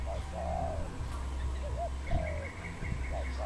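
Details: Wild dove in Cambodia, 23 April 2020: a series of short hooked notes and longer drawn-out coos, low and mellow, with faint higher chirps from other birds and a constant low hum behind.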